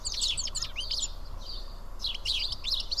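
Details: Around seven house sparrows eat together at Karyotissa, Greece. Quick bursts of bright chirps and twitters come in two clusters with a short quieter gap between them.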